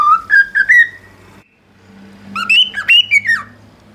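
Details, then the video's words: Cockatiel's original song: a set of rising whistled notes climbing in steps, a short pause, then a busier burst of higher, wavering whistles, over a low steady hum. "Calopsita canto da especie ORIGINAL"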